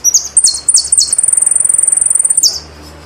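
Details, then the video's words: Argentine jilguero, or saffron finch, sings a few high descending notes that run into a long rapid trill of evenly pulsed high notes, finishing with one falling slur; faint hum below. "JILGUERO ARGENTINO"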